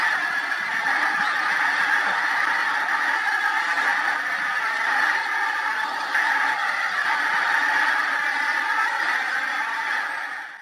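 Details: Pink-footed geese in a very large early-September flock rising from fields at Montrose Basin, massed honks blending into a steady loud clamour of rapid overlapping calls that fades slightly at the end.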